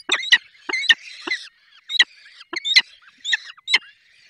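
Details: Nest of falcons in the Barycz Valley at feeding time: a quick series of piercing chips and short squealing notes in irregular bursts, with thin wheezy sounds between them.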